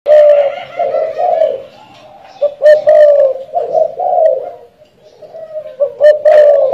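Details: Spotted dove from a customer in Saigon (Ho Chi Minh City), a bird said to coo a lot; loud, dense cooing at a steady low pitch, with overlapping drawn-out notes and brief breaks, recorded indoors and somewhat distorted.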